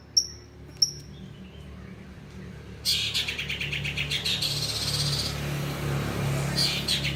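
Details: Long-tailed shrike copying lovebird sounds: two thin high whistles, a pause, then a loud harsh burst of fast, screechy chattering for about two seconds, trailing off into quieter notes against low hum.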